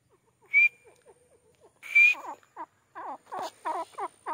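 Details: Grey francolin (teetar) calling: two sharp, level whistles, then a run of quick, harsh, layered notes that dip and rise, repeated about three times a second.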